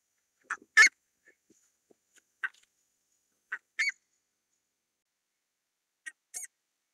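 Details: Buff-necked ibis calling with harsh honking notes, each burst a quick short note and a longer rasp, spaced a second or more apart, over near-silence.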